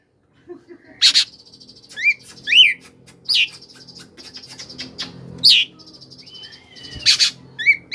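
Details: Oriental magpie-robin koslet song used as a prompt for magpie-robins that rarely sing. Buzzy nasal trills alternate with bright swooping whistles and sharp clicks, with brief pauses between phrases.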